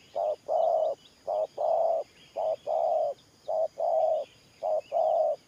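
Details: Spotted dove used as a trapping decoy, cooing in the gù style called thổ pha nước: low hollow paired notes, a short coo then a longer one, repeated roughly once a second, with faint chirps from other birds behind.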